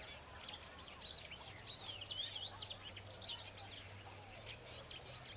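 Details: Wild bluethroat singing after being lured by a recording of another's song, displeased and come to defend its ground: varied rapid high twittering and buzzy phrases, fairly faint against steady background hiss and a low hum.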